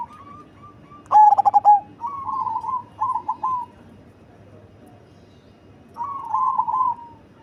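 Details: Deep-voiced, big-bodied cemani zebra dove: one loud burst of rapid coos ending in a drawn note, followed by several softer, wavering trilled phrases from nearby doves.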